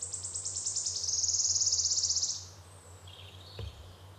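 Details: Wood warbler, the rarest of three Phylloscopus species in the UK, singing: a high, accelerating series of ticking notes that merges into a shimmering, sibilant trill lasting about two seconds, then fades; a faint low hum underneath.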